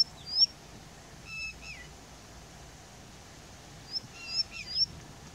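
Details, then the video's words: Indian bushlark singing and calling from a rock at Jayamangali, India: short bursts of thin, high chirps and quick slurred notes separated by pauses, over a soft background hiss. "Indian Bushlark Calling and Singing"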